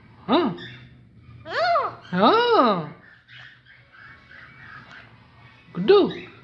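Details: Alexandrine parakeet mimicking speech with rich, voice-like arched syllables: one short word, a pair of longer drawn-out rising-falling sounds, murmured quieter notes, then a final clipped word.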